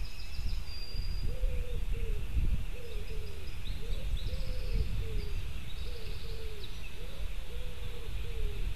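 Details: White-tailed eagle chick squealing at its nest, filmed by a nest webcam in Latvia at 8:07 on 15 July 2018. Short arched, slightly falling squeals come in a steady series, about one every 0.7 seconds, over a constant low rumble with faint high tones above.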